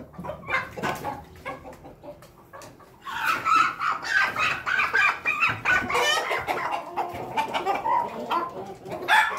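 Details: Pelung chicken crowing: a long run of rapid, repeated, harsh syllables rising and falling in loudness for several seconds, preceded by softer clucks.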